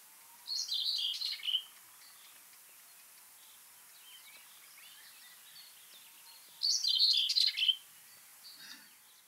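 Common Whitethroat giving two short, scratchy, high warbling phrases about six seconds apart, with a faint distant Common Chiffchaff and other birds behind.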